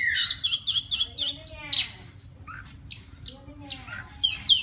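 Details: A forest white-rumped shama singing to a female gives a rapid string of about six sharp, buzzy notes, then sweeping whistles. Spaced high piping notes and a few clicks follow.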